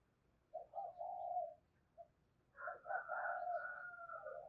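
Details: Spotted dove calling to lure wild doves, heard more distantly over a low background hiss: one soft cooing phrase with a long middle note, a pause, then a fuller, richer phrase rising in strength.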